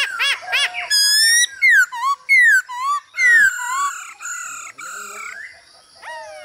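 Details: Male Hwamei singing with female calls to spur him on, a recording for training birds: a varied, loud sequence of bouncing, downslurred and looping whistles, some harsh harmonic-rich notes, tapering into quieter sustained tones.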